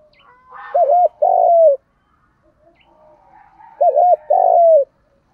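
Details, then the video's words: Spotted dove in 'thúc gù' lure style, used to stir up birds: two phrases about three seconds apart, each a looping double note then a drawn-out rough coo falling at its end, with faint soft background sounds. "tiếng chim cu gáy kích bổi. giọng thúc gù"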